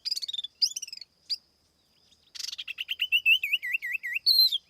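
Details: Tiểu mi laughingthrush used as a lure, singing with no background noise: quick trilled chirp bursts, a short gap, then a rising sequence of looping whistled notes ending in a loud upslurred phrase.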